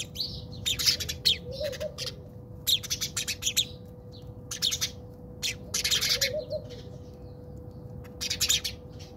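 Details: House sparrows squabble in a South African backyard, a series of loud harsh chirps and chattering bursts repeated throughout, some notes clipped and rapid, over a faint steady hum.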